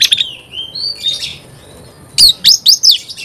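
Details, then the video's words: Oriental magpie-robin in full song, answering another magpie-robin: sweet rising and falling whistles, then four loud, sharply swept notes spaced evenly at the end. "Kacer gacor bikin kacer ngobra KONSLET"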